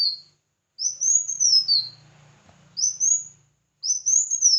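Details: Red-whiskered bulbul competitive song: loud whistled phrases rising then slurring down to a lower note, repeated with short gaps, while a low hum sounds in the middle.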